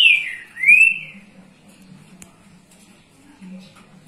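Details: A green-winged saltator (Saltator similis) in Rio de Janeiro state sings two loud, clear whistled phrases in the first second, one falling and one rising, then near quiet with a faint low hum.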